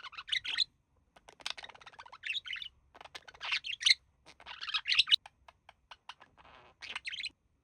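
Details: A pair of budgerigars at rest indoors, the male mimicking human speech; phrases of bright chirping and squeaky chatter alternate with clipped clicks and short silences.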